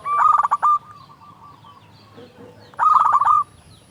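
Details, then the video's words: Zebra dove, local and loud, singing to coax doves into song: two quick bubbling phrases of rolling coo notes, separated by a soft, steady hum. "Perkutut lokal gacor SUARA BESAR pancingan burung perkutut agar bunyi"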